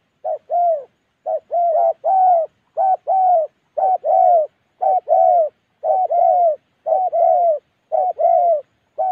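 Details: Spotted dove, a Đồng Ngực Chẻ bird from Gia Lai in the Central Highlands of Vietnam, calls loudly and steadily. Short-long coo pairs repeat nearly every second with no other sounds.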